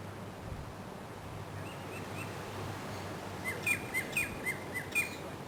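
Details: Common Myna, an introduced species, recorded in Queensland, Australia, in June–July, gives about six short, sharp, high notes in quick succession after a few fainter ones, over a steady background hiss.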